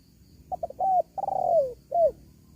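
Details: Spotted dove calling, used to lure wild doves. One phrase opens with two short notes and a level coo, then a long wavering coo that slides down, and ends with a brief falling note.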